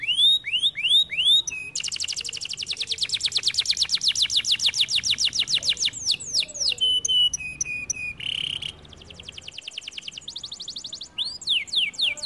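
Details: Canary song mixing swooping whistled notes, a long rapid rattling trill, buzzy steady tones and a low flat warble, then closing with curving whistles.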